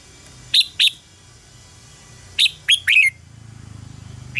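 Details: Decoy singing of a red-whiskered bulbul for song training: two crisp whistles, then three quick descending notes, followed by a low rhythmic rumble near the end.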